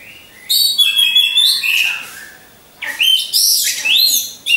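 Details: Caged orange-headed thrushes hung in a line as a lure for contest training: quiet start, then loud fluted whistles and fast chirps, a brief lull, and another burst of rising slurred notes.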